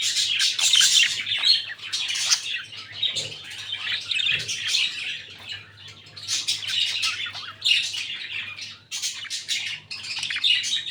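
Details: A lutino albino red-eyed breeding pair of budgerigars keep up a steady, busy warble of high chirps, scratchy squawks and twittering notes with hardly a pause, against a faint low hum indoors.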